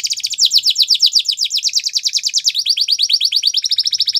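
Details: Belgian canary delivering its training song as one continuous run of very fast rolling whistled trills, changing pace midway to slightly slower, sharper swooping notes, high and loud.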